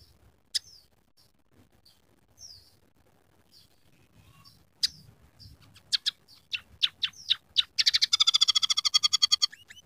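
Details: Emprit peking, the scaly-breasted munia, singing a song filled with learned canary, sparrow and red siskin sounds; sparse faint chips over a low background hum, quickening sharp clicks, then a rapid, rolling trill to the end.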